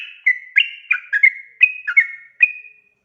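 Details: Sooty-headed bulbul in spirited 'ropel' song: about eight clear whistled notes, some sliding down, some held, delivered quickly, ending on a longer fading whistle.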